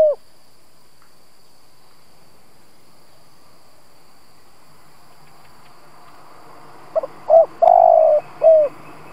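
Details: Spotted dove lure bird cooing to attract rival doves: after a long quiet stretch, a single phrase of short notes, a long throbbing coo and a falling final coo.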